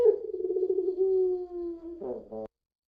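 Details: Puter pelung dove in a lure recording. A wavering coo slowly slides lower and is held, then ends in rough, cough-like notes before falling silent.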